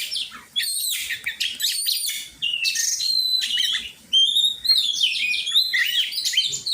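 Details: Oriental magpie-robin singing in a training session, varied whistled phrases with upslurred and downslurred notes and harsh chatters, separated by short gaps.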